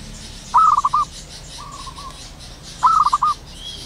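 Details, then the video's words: Zebra dove calling in the wild at morning time, a clear staccato, rolling coo of five quick notes, then a quieter even coo, then the rolling phrase again, faint high birdsong in the background. "burung perkutut lokal alam gacor penuh gairah"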